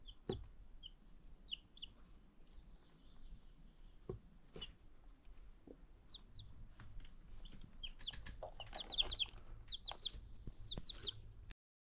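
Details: New chicks kept together, giving scattered high thin peeps that grow busier and more frequent toward the end, mixed with tapping and rustling noises.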